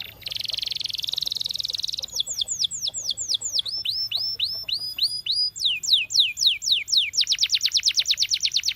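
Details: Trained canary singing: a dense buzzy trill for two seconds, then a run of clear down-slurred whistles, a quicker series of sweeping notes and a fast, rapid rattle of repeated notes to finish.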